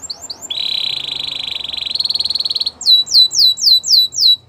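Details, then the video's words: Gloster canary song used for training: a steady, fast, buzzy trill held for about two seconds, followed by five loud, sharp, descending whistled notes repeated at an even pace. "Gloster Canary Training | Canary Bird Sounds"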